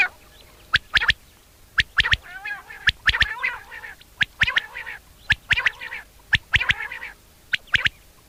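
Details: Common quail in a summer meadow at sunset, giving its mating call: sharp, clipped triple notes repeated about once a second, overlapping quacking, wavering calls from other birds.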